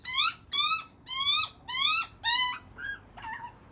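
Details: Juvenile Australian magpie begging from its father: five loud, harsh, rising squawks about every half second, then two softer, shorter calls.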